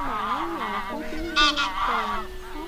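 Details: Wild goose flock call, a lure for net trappers: smooth rising and falling honks, then one loud harsh double honk in the middle before quieter calls resume.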